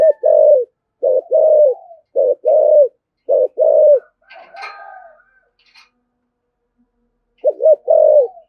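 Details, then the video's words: Spotted dove in 'thổ' voice, 'thúc gù' urging coos aimed at provoking wild doves: four rapid low phrases of double note plus drawn hoot, a brief burst of higher chirps, then one more phrase. "cu gáy giọng thổ thúc gù dùng kích bổi, bổi nghe rất nhại gáy"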